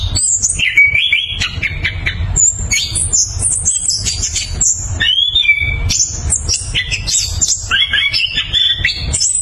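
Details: Orange-headed thrush (anis kembang) singing loud, clear ngeroll song, a long unbroken run of varied whistled phrases, thin high notes alternating with rich warbles, chips and squeaky slurs, nearly without pause, over low background noise.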